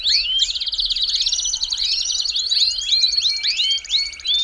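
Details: Belgian canary singing a fast song meant to warm up or stimulate canaries: a continuous run of rapid trills, rolls and upslurred whistles, high-pitched and unbroken throughout.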